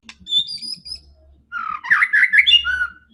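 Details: White-rumped shama, a fighting and aggressive bird used to provoke other shamas, giving a high thin whistle near the start, then a loud burst of rapid varied warbling notes after a pause.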